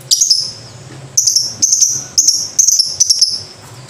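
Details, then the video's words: Piercing lovebird calls in bursts of several sharp chirps, each with a harsh onset and a thin high tone. Short pauses separate the bursts over a quiet, faintly humming background. "Pasti Banyak Lovebird Ikut Bunyi"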